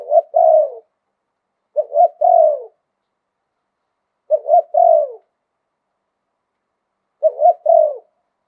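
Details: Spotted dove from Thailand singing in the 'liu tan' style with a wild-toned voice: four low, mellow three-part coos, each a short note, a rolling double coo and a long falling coo, spaced about two seconds apart.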